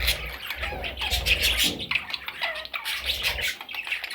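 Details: Parrot chicks keep up a steady chorus of hoarse, grating squawks, layered over a low hum and occasional rustling.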